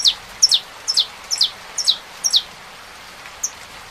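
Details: Saffron finch song in rain: six quick, high, descending chips in a fairly even rhythm, then a pause and two fainter notes near the end.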